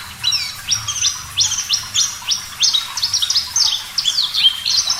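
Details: Javan bush lark (parva), a clear singer in a bird-training recording: a fast, continuous string of high, sharp chirped notes, each slurring briefly, about four per second.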